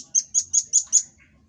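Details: Velvet-fronted nuthatch (rambatan paruh merah) in a recording meant as a master song for training cage birds, giving its rapid 'tembakan' burst: five sharp, very high chips about five per second, then a short, softer note.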